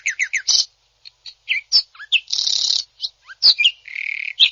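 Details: Greater green leafbird in full song, a championship-style bird, with rapid dropping chirps, scattered sharp whistles, a raspy hissing stretch and a steady buzzy low note between clear bright strokes.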